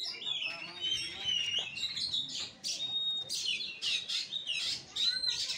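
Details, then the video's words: Oriental magpie-robin fighting-style singing, Kura-kura type, as rich, overlapping whistles and harsh chatter against a steady hiss of background noise. "KACER NGEPLAY TARUNG|GAYA KURA KURA"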